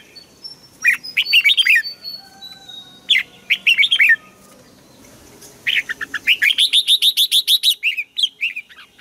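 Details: Asian bird from Thailand: quick descending chirp phrases followed by a long, fast, steady series of high clear chips lasting around three seconds.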